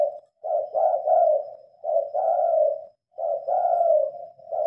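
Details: Spotted dove cooing at night under lit lamps, captured on a Samsung phone: three similar phrases, each a short note leading into a longer rolling coo, spaced roughly every one and a half seconds.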